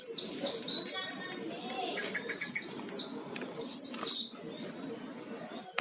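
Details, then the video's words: Oriental white-eye lure song: three bursts of high, quick downslurred chirps spaced over several seconds, with lower chatter and background murmur between them. "Pancingan suara pleci gacor full isian"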